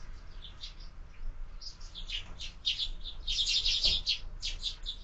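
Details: Sparrows feeding at a window feeder in the morning, chirping busily: sparse chips build into a dense run of overlapping bright chirps, several birds calling at once, over a light low hum.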